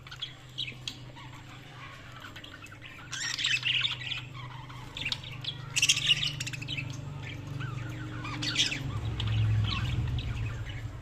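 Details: Budgerigars chirping: scratchy, high chattering bursts and squeaks, busiest after the third second and again mid-clip and near the end, over a constant low hum that swells toward the close.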